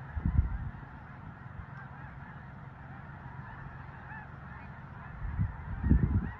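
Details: Migrating snow geese at Leigh, Nebraska: a large flock makes a continuous overlapping clamor of calls. Strong low rumbling gusts of wind open and close the stretch.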